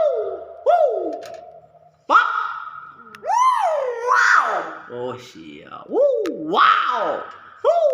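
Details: Hill myna imitating speech, producing word-like wavering vocal sounds resembling a repeated 'wow', alongside whistled slurs, in a small room.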